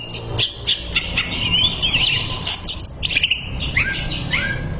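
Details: Greater green leafbird training recording with clicks and a long looping warble, followed by downward-sliding whistled notes and soft rumble beneath.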